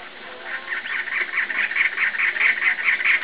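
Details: A male cactus wren sings right after rains ended at the Arizona-Sonora Desert Museum on 6 February 2010: harsh, grating chug-chug-chug song, rapid scratchy notes about two to three per second, growing louder, over a faint background hiss.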